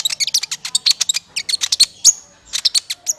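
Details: Sunbird lure call for trapping birds: fast runs of piercing high chirps and ticks, a brief pause after about two seconds, then another quick chattering burst.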